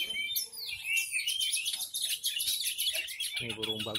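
Horsfield's bush lark singing a dense, rapid, high-pitched chirping and trilling song without pause; a man speaks briefly near the end.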